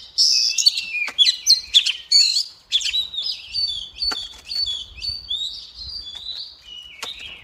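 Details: Female Oriental magpie-robin song meant to provoke males into singing: a continuous run of loud, varied whistles, trills and quick slurred notes. Phrases follow one another without pause and gradually fade toward the end.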